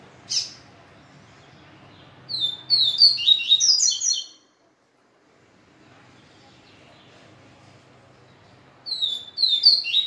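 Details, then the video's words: Two bursts of quick, high, scratchy twittering song from a papa-capim seedeater excited after a day with a female, separated by several seconds of quiet; a brief chip precedes the first burst. "Papa capim ISRAEL mexida de um dia de fêmea"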